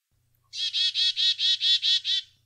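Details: A black-capped chickadee gives the dee notes of its chick-a-dee call, eight harsh, buzzy notes evenly spaced at about five per second, over a faint low hum; a call used by both sexes to warn of predators and keep contact.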